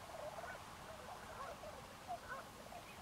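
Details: A flock of tundra swans at Forsythe NWR, New Jersey, gives overlapping high, soft hooting and yelping notes that blend into a continuous murmur, with a couple of louder calls near the end.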